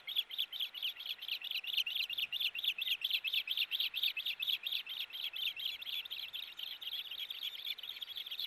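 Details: Ospreys at their nest pulling at one fish, 4 August 2018: continuous, loud, fast train of shrill whistled chirps, about two each second, with little variation throughout.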